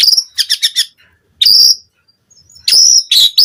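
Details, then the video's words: Lure song of a White-rumped shama, used to get captive birds singing: a quick run of four sharp chirps, then pauses broken by loud, bright, whistled and buzzy phrases. "Pancingan Murai Batu Cepat BONGKAR ISIAN Buat Masteran Suara Burung Murai Agar Gacor Full Isian"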